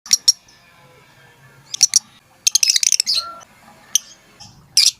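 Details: Lovebird calling its companions with sharp, high, clicking chirps in short bursts, 'tik tik tik', some single, some in quick clusters, with quiet gaps between.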